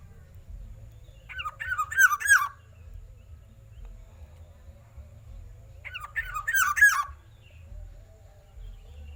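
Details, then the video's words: Black-naped oriole giving a loud voice: two short phrases of liquid, fluty, looping whistled notes, each phrase about a second long and several seconds apart, over a steady low rumble. "kepodang kuning si burung pesolek dengan suara lantang"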